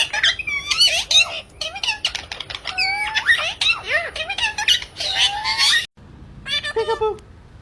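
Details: Indoor pet parrot producing a busy string of shrill squawks, squeaky rising and falling whistles and speech-like chatter. A brief gap comes near the end, then a few more harsh notes follow.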